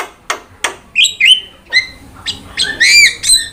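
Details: Jalak song meant to draw out and tutor other birds: a few dry clicks, then clear level whistles, soft chatter and bright warbled whistles with strong overtones.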